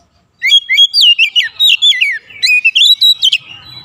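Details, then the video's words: Oriental magpie-robin singing as an excitement-raising lure: rapid, varied whistled phrases with sharp upward and downward slides, delivered in a dense, nearly continuous stream of about four notes per second after a brief silence. "PANCINGAN KACER NAIK EMOSI"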